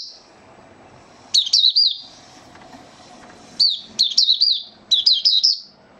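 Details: White-eye (mata puteh), male, giving its opening song (buka sing) while settling into form, dated 08012022: three bursts of high, rapid warbling notes, each of several sharp down-slurred chirps, separated by quiet gaps with faint low background hum.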